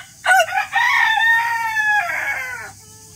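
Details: Rooster crowing, a loud harmonic cock-a-doodle-doo starting with a sharp rising note, then a long sustained middle section and a falling final phrase, lasting about two and a half seconds over a quiet background hiss.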